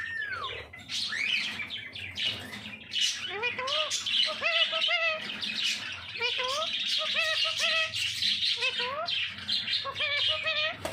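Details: Parrot mimicking speech: a falling whistle opens, followed by rapid runs of short, voice-like syllables in quick bursts about once a second, mixed with continuous hissy, squawky chatter.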